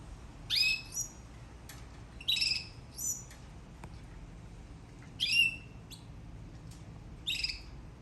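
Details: Canary singing in short bright bursts, each a quick cluster of high trilled and whistled notes, separated by pauses of one to two seconds against a quiet background.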